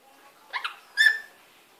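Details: Pet lory bathing and playing in a sink in a wet cloth gives two quick, scratchy chirps, then one louder, ringing squawk that fades out; the room is otherwise quiet.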